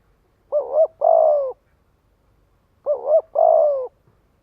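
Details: Spotted dove luring its flock with repeated coos: two identical phrases about two and a half seconds apart, each a quick warbling double note leading into a longer, smooth, falling coo.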